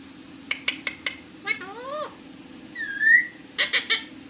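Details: Pet parrot producing a sequence of sharp clicks, then rising and falling harmonic whistled sweeps, a bright upward-swooping squeal, and a final burst of quick clicky notes over a steady low hum.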